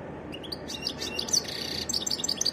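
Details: Varied song of a European goldfinch, a short stretch of quick high twittering notes and brief buzzy trills, against a constant low hiss.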